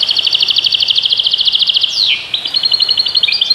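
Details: European goldfinch delivering a quick, evenly pulsed twitter that breaks into a sharp downward slur, then continues with clipped liquid notes over soft background noise.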